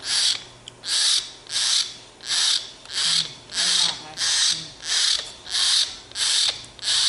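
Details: Sulky young common hill myna asking for bread makes loud grating hisses, around ten evenly spaced bursts, with faint soft sounds underneath.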